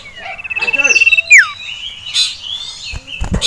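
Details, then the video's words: Caged male sirtu, agitated at the sight of a rival male and a female: a steady high trill of rapid pulses, then a loud downward-sweeping whistle, followed by scattered sharp chirps and clicks. "CIPOW Ngamuk Melihat SIRTU JANTAN Dan Betina"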